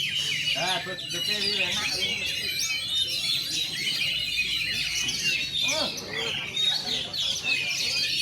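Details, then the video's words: Oriental magpie-robin at its first bird-song contest, feathers fluffed, singing shooting and running phrases; rapid rising and falling whistles and chattering notes from many birds overlap throughout. "Burung kacer ladusing perdana gantang nebok bongkar kapas tembak dan rambatan"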